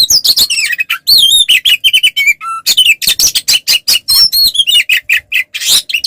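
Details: Oriental magpie-robin, a caged bird, singing a fighting song meant to provoke rival males into answering: rapid loud mix of sharp chirps, buzzy notes and clear whistled slurs, with steady phrases near the middle.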